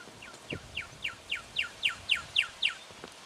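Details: Juvenile brown goshawk in Victoria, Australia, recorded in October 2011. It gives a steady series of about ten sharp downslurred notes, roughly four per second, growing louder, over a faint background hiss.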